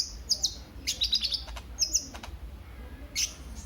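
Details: Sunbird called kolibri ninja, used as a lure for birdkeepers. Sharp, very high twittering bursts come in short clusters separated by brief pauses, with a few clicking ticks between them.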